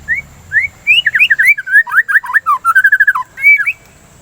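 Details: White-rumped shama, singing as a lure and as therapy against breeding excitement, gives a dense, varied phrase: rising whistles, then rapid slurred notes and a fast trilled run, closing with a high clear whistle.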